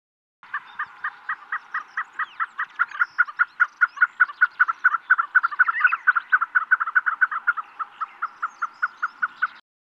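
A partridge gives a long run of hoarse, clucking notes, about four per second, steady and mid-pitched, with no other sounds.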